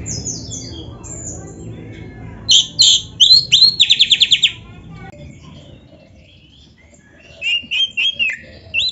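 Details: Oriental magpie-robin singing, recorded as a training song for captive songbirds: varied high whistles and harsh chattering bursts, a fast repeated rattle near the middle, a quiet pause, then short sharp whistled notes returning, over faint low background noise.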